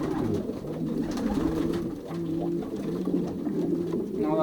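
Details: Racing pigeons pairing in a loft in Poland, 2023 season; low throaty coos overlap with a steady hum-like tone, and several birds call at once.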